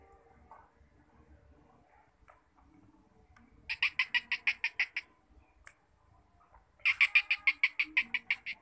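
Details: Two bursts of rapid, rhythmic, rasping notes from a kept black partridge, each about ten harsh clicks delivered in just over a second, separated by a quiet pause with faint background noise.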